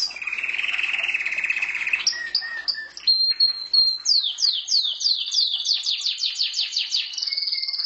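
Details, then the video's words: Pet canary singing: a steady buzzy trill, then short whistled notes, then a run of quick descending slurred whistles repeated about three times a second, ending on a sustained high tone. "Mon canari chant"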